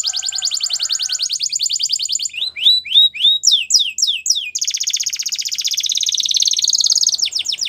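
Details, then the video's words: Spanish Timbrado canary training song: a rapid even trill, then a run of descending slurred whistles about three per second, then a dense buzzy rolling trill that speeds up. "Spanish Timbrado Canary | Canary Training Song"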